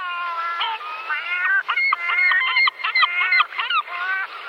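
A gull gives a series of nasal, harmonic-rich calls: a few drawn-out wails, then quick choppy notes repeated about three times a second.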